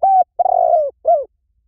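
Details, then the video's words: Spotted dove coo used to lure doves: a flat sustained note, then a long rolling, quavering coo that sinks at the end, and a short downward-bending final coo; clean and quiet. "เสียงนกเขาใหญ่ หมานๆ ต่อเข้าเร็ว ป่าไหนก็เข้า"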